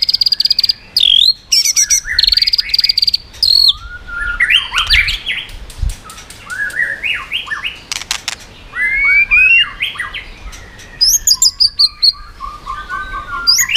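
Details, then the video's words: Singing white-rumped shama, tail-flicking and changing voices to provoke rival birds: a long, varied run of high whistles, slurred upsweeps, rapid clicks and warbled phrases with short pauses, mostly shrill and bright. "chòe lửa hót giọng yến reo,bắn dây đảo giọng đánh đuôi kích chim cực mạnh"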